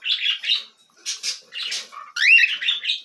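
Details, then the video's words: Cockatiel chicks beg while being fed, several short grating squawks separated by brief pauses, then a louder, rising, wavering rasp at the end. "Alimentação para filhotes de Calopsitas."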